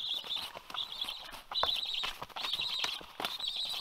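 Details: At a black stork nest in Karula, Estonia, on 27 August 2022, the last remaining chick, Waba, begged for twenty minutes until the adult Karl flew in and fed it. Its calls are high, thin, squealing half-second bursts about once a second, over clicks and rustling.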